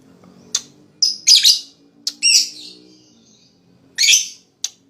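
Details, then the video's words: Lovebird calls played to stimulate other lovebirds to start ngekek chattering: scattered high chirps mixed with a few harsher, longer squawked notes at irregular intervals, plus faint low background hum. "Suara LoveBird Terapi,Rangsang Lawan Cepat Ngekek,LoveBird Ngekek Gacor"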